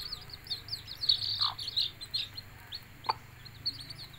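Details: Hen summoning her chicks to food; a dense run of shrill, falling peeps from the chicks dominates, broken by a lower, drawn cluck and a later single short cluck.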